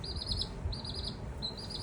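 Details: Stranded domestic chick taken in at a house, calling in three drawn-out, wavering high trills, each about half a second long with brief gaps between them, over steady low-pitched background noise.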